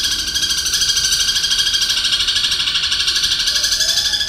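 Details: Caged long-tailed shrike singing a mimicry medley of kingfisher, fighting sparrow, kuntilanak and long lovebird chatter. Here it gives an unbroken, fast pulsed chatter of about three harsh notes a second, high-pitched and steady throughout.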